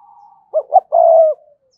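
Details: Spotted dove used as a decoy to attract wild doves, giving two quick low coos followed by a long, steady, level coo that fades away.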